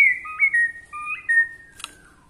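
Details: Borneo white-rumped shama song, delivered to provoke rival shamas: clear, pure whistled notes in pairs, each step jumping between a high and a lower pitch, ending with a brief noisy click.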